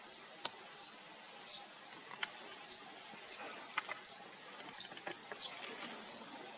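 A female red-flanked bluetail gives a thin, high, level whistle about every two-thirds of a second, ten times in a row, over faint ticks and background hiss.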